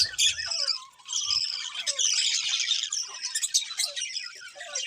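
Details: Several colourful budgies keep up a steady high chatter of warbles, squawky notes and short chirps, with a brief low thud near the start.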